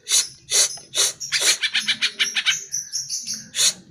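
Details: Greater green leafbird song used as a lure to make caged leafbirds answer and sing: loud harsh broadband bursts alternating with quick high chirps and short whistled notes, about two phrases per second, ending in another harsh burst.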